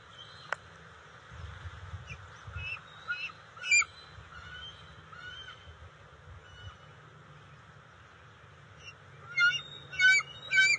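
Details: Bald eagles at the NCTC nest on June 29, 2021, during eel and fish deliveries to two juveniles. Faint scattered high whistled notes give way to three loud, sharp harmonic chirps at the end, over a low steady rumble.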